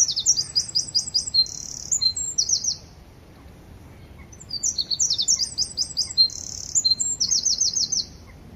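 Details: A free-living Eurasian wren sings two loud, rapid bursts of high trills and sharp notes, each about three seconds long, with a short pause between.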